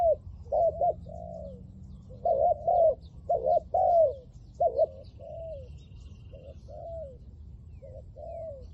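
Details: Spotted dove used as a decoy to trap wild doves, calling in 'liu tan' style: runs of stuttered and arched coos, some overlapping as if answered by a second dove, with faint high chirps of other birds.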